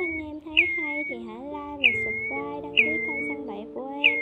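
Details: Four separate clean, whistled notes from a Pacific golden plover flock-calling recording made in 2020. Each note rises sharply and then trails down, about one second apart, with music playing beneath.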